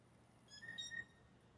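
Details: Mating call of blue jays, with males vying for a single female; a soft, flute-like whistle lasting roughly half a second, steady in pitch with faint overtones and a slight stutter near its end, over quiet background hum.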